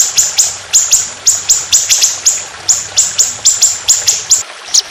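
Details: Trotolan songbird recording meant for songbird training, with trickling water: a steady series of about a dozen sharp, high whistled notes, each a quick downward flick, in the long harsh rolling 'tembakan' style.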